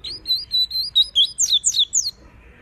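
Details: Double-collared seedeater (coleiro) singing the tui tui style, used to train a young bird and warm up a female; a quick run of sharp whistled notes, then rapid slurred downward phrases, about ten notes in two seconds.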